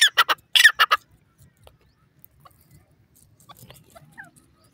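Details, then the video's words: Francolin, called irani teetar, calling: a loud series of harsh, clipped notes in quick succession during the first second, then near silence with only faint scattered sounds. "francolin bird calling, irani teetar ke masti sound"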